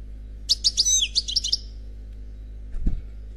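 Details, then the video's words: European goldfinch, unpaired, in Khalwi song: a one-second cascade of bright notes with a falling slurred whistle in the middle, then quiet and a soft low thump near the end. "Chant Chardonneret Khalwi Célebataire CD"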